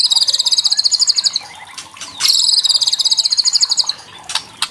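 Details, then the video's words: White-rumped shama giving kretekan, a crackling call used to provoke young shamas into singing. Two long, fast, buzzy rattles of evenly repeated high notes, each over a second long, followed by a few short sharp clicks. "KRETEKAN MURAI BATU MEMANCING EMOSI"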